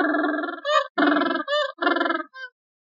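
A gentoo penguin gives a harsh, braying call in short pulsing bursts.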